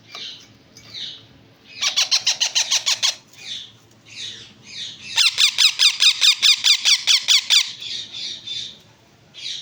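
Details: Yellow-mutation pet ringneck parakeet chicks give rapid, harsh, rasping squawks in two bursts of about a dozen pulses each, with softer wheezy calls between.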